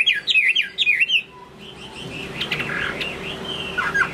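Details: Late-afternoon Chinese hwamei song: a burst of quick, swooping whistled notes for about a second, then a fainter, busier stretch of chattering phrases against a low constant hum.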